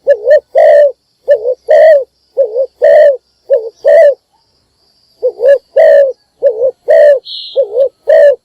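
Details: A spotted dove kept as a decoy calls in the morning: about six loud two-note coo phrases, a wavering short coo and a long full one, with a short pause midway and a faint high chirp.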